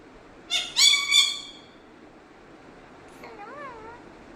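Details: Pet parrot in Kerala, India, talking in Malayalam: a quick cluster of three harsh harmonic syllables, then, after silence, a soft wavering voice-like phrase.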